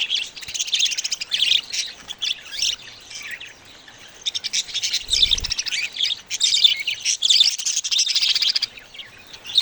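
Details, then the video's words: Baby budgerigars chatter in loud bursts of high, buzzy chirps and warbles separated by short quiet gaps, with one low bump midway. "Cute budgie babies sound"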